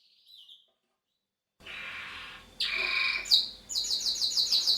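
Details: Male roller canary: one faint brief note, then silence, then a soft buzzy roll, a louder layered phrase, and a very high, rapidly repeated trill.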